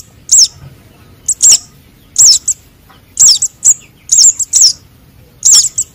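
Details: Sunbird chick calls (konin and sogon) used as a trapping lure: shrill high twittering notes, each with a quick up-down inflection, repeated in irregular pairs and triplets roughly every second over a quiet background.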